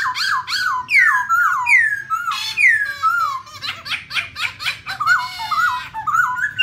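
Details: Black laughingthrush, a caged female accompanied by a male, singing to spur other birds: a lively chattering run of looping whistles and sweeping slurs, rhythmic and laugh-like, about two notes per second, with steady low hum.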